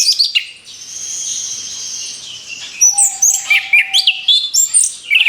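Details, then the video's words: Orange-headed thrush (anis kembang) singing as a lure for other birds: a few sharp chirps, a sustained high hissing note, then a lively series of clipped whistles and twitters. "SUARA ANIS KEMBANG BUAT PANCINGAN MAUT"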